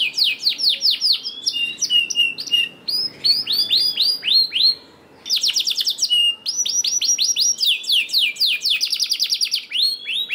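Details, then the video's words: Canary song used as a lure to prompt lazy canaries to sing: fast trills of high curved notes, arched and downslurred, in rapid rolling phrases with brief pauses, one near-silent gap midway, clean background. "PANCINGAN KENARI JAMIN AMPUH LANGSUNG BUNYI SEKETIKA DALAM HITUNGAN MENIT"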